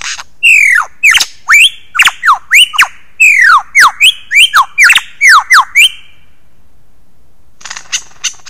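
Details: Male lyrebird giving its early morning performance on 15 July 2018 at Ben Ricketts Environmental Preserve, caught by a motion-sensing wildlife camera: loud, ringing whistles sweeping down, repeated rapidly for six seconds, then quiet with a few faint notes.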